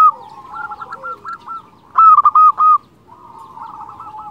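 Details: Local Indonesian zebra dove singing, a sound used as a lure to attract and excite other zebra doves; soft rolling coos near the start, then a loud burst of clipped, trilled notes, with quieter cooing from other doves behind.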